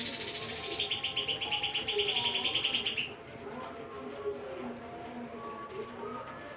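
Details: A Lesser green leafbird sings in roll tembak style, a high bright burst sliding into a fast, even rattling trill for about two seconds, followed by quiet with faint low background chatter.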